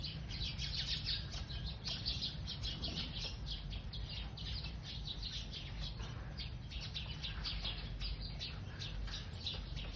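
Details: A flock of sparrows chirps continuously while eating, with many short, bright overlapping notes, over a steady low rumble.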